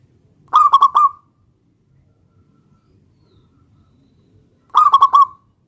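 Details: Local zebra dove singing to draw a rival's reply; two identical rapid trilled cooing phrases about four seconds apart, quiet in between.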